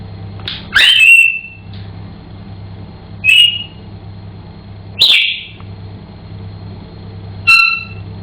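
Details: Pet African Grey Parrot indoors, sounding sharp high whistled chirps and squeaks, four loud bursts spaced a few seconds apart over a steady low hum.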